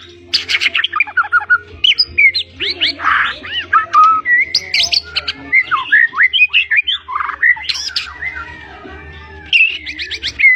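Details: Blorok White-rumped shama in vigorous, chattering song packed with fills: dense, varied phrases of rapid whistled slurs, harsh buzzy bursts and trills, with only brief pauses and a faint low hum beneath.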